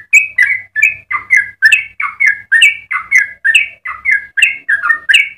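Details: Singing yellow-vented bulbul in full voice, the long fast style for tutoring others: a continuous stream of about sixteen chortling, liquid double notes, evenly spaced and loud, over a faint low hum.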